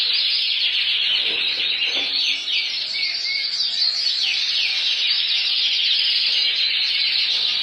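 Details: Full frill canaries sing in a dense, unbroken stream of high twittering trills and rapid chirps, several voices overlapping throughout.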